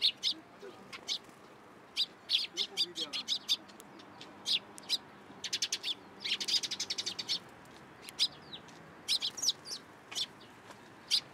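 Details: Feeding from a person's hand at a Tenmangu shrine on 14 April 2023, sparrows give sharp high chirps, including a fast rattling run of rapid notes midway, with faint voices low in the background.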